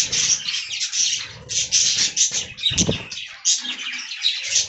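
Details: Budgerigars in an aviary munching fresh green leaves; rapid overlapping warbles and chirps, interrupted by a brief low thump near the three-second mark, then the chatter resumes.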